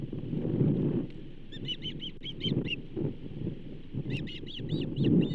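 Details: Osprey at the Charlo nest on 15 June 2024 as a second bull trout is delivered: two bursts of high, arched whistled chirps, about six quick notes each, over a steady low rumble of wind or background noise.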